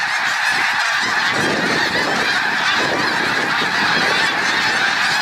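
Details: Huge flock of wild Snow Geese flying overhead after taking off from resting water: loud, unbroken chorus of countless barking honks, overwhelming and constant throughout.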